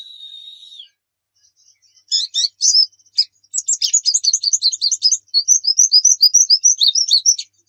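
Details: A steady, even high whistle opens, then after a pause a white-eye (pleci) breaks into fast, jumbled twittering and a long string of quick high chirps.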